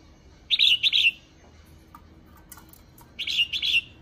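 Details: A female red-whiskered bulbul calls to excite males, two bursts of rapid bright chattering notes with faint clicks and taps between them.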